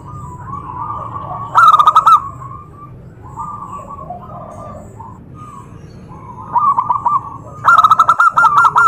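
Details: Zebra dove calls aimed at getting other doves to respond: two loud, fast bubbling coo bursts, near the start and at the end, separated by quieter distant cooing phrases.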